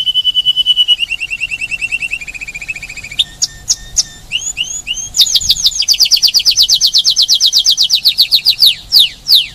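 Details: Varied song of a Spanish timbrado canary at Paradisi, Rhodes, Greece: a steady pulsed trill, scattered clicks and rising whistles, then a long fast series of bright sweeping notes and a few final slurs.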